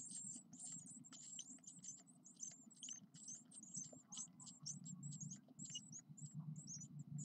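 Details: Nine-day-old Eurasian blue tit chicks, ten in the brood, call nonstop in rapid, very high-pitched, squeaky chirps that overlap in a busy chorus over a low steady hum.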